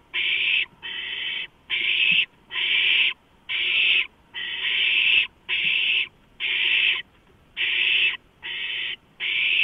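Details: Owlets at a large rodent food delivery, 23 March 2015: harsh hissing rasps, each about half a second long, repeated steadily about once a second with short gaps, loud and unbroken throughout.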